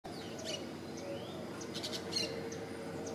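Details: Social flycatcher (Myiozetetes similis) morning song: sharp, scratchy high chips in scattered bursts every half second or so, over a steady low hum and faint background noise.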